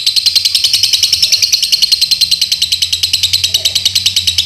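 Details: Captive lovebird from Pemalang, Central Java, Indonesia, pouring out a fast, even, high-pitched rattling trill of about ten pulses a second, steady in pitch throughout, with a faint low hum behind.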